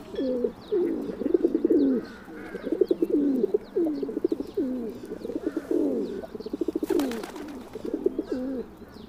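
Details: Repeated low, rolling coos of a feral pigeon, a near-continuous burbling series with brief breaks, small birds chirping faintly above and a short burst of noise near the end.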